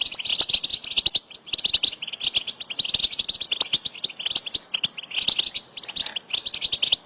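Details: Goldfinches in a group giving 'betbeta' call notes, used to stimulate a silent pet male to sing. Bursts of bright, high chirps and twitters pour out in quick clusters separated by short pauses, with dry clicking ticks throughout.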